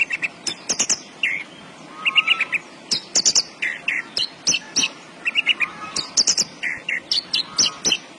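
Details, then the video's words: Javan bush lark singing persistently: a rapid, varied run of short chirps, trills and high whistled notes, in quick bursts throughout with brief gaps, plus faint sharp clicks in the background. "BURUNG BRANJANGAN GACOR"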